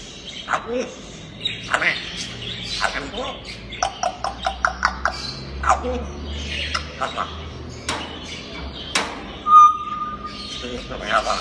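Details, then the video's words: Playful grey parrot that talks, producing a fast series of dry clicks and short squawks, then a bright steady whistle near the end. "ببغاء كاسكو لعوب ناطق"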